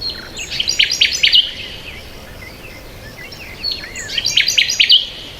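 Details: Birds chirping in a peaceful outdoor setting: two bursts of rapid, high trilled notes with short twittering slides, separated by a quieter pause, over a faint hiss of background noise.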